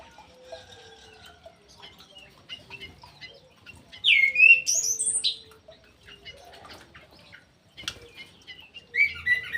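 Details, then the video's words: Ground thrush kept in an aviary, singing actively: a loud burst of clear, varied whistled phrases sweeping high and low, then quiet soft twitters, then another bright whistled phrase at the end, over faint background chirps. "PUNGLOR JALI GACOR"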